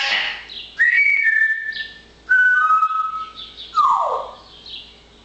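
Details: A chatty parrot in nice weather opens with rough chatter, then gives two clear level whistles and a sharp downward-swooping whistle before going quiet.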